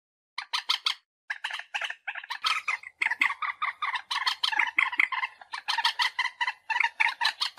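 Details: Common moorhen call played as a lure for bird hunting: dense runs of harsh, harmonic clucking notes in rapid pulsed bursts, with brief pauses near the start, then nearly continuous chattering.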